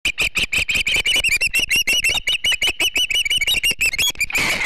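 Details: Osprey at a Charlo, Montana nest on 3 August 2016, a female chasing off an intruder that was not another osprey: a rapid stream of loud, sharp whistled chirps, about three a second, ending in a burst of noise.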